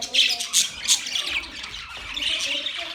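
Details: Budgerigars recorded on October 11, 2023, chirping: scattered high squeaky chirps and warbles over a steady murmur of background chatter.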